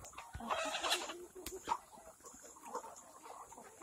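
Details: A noisy rush opens the recording before scattered short clucks from organically raised black Kadaknath chickens on a farm in Cuttack, Odisha, with several birds calling near one another.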